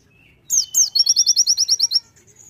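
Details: Konin, a Sunda white-eye, in full 'tembakan' song: two loud slurred notes open a fast, even rattle of high, piercing chips lasting about a second and a half, with a thin whistle trailing off.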